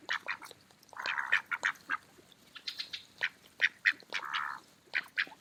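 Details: Feeding mallard ducks in an autumn park produce short quick quacks punctuated by two longer, buzzy, drawn-out quacks.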